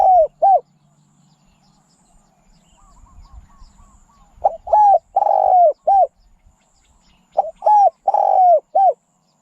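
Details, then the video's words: Spotted dove giving repeated cooing phrases of short hollow coos and one long burry coo that falls at the end, with soft chirps and faint rustling between phrases. "ສຽງນົກເຂົ້າໃຊ້ຕໍ່ (นกเขาใหญ่)"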